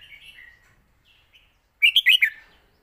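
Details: Master song of a red-whiskered bulbul: after faint distant warbles, one short loud phrase of four quick, bright, rolling whistled notes, followed by silence.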